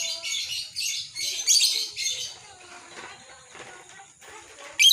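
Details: Lovebird chattering in ngekek style: rough high bursts repeated roughly every half second, then softer scattered chirps, ending with a sudden loud high note.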